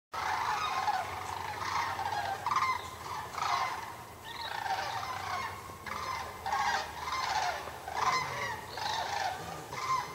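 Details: Canada geese flying home, a flock calling in flight: dense, overlapping nasal honks repeated continuously, several birds at once with bursts roughly every half second, rising and falling in loudness throughout.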